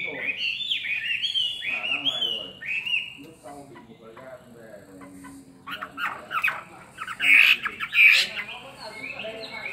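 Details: Chinese hwamei, caged for two years, in fighting song. Opens with descending whistled phrases, goes quiet with soft chatter, then gives two loud, sharp whistled bursts.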